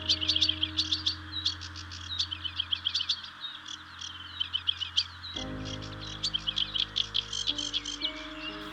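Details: Sedge warbler singing and showing well in early spring at Stains Moor, in bushes along a river, sometimes lifting off in song flight: a hurried, scratchy, nearly continuous chatter of rapid trills and buzzy notes over soft background music.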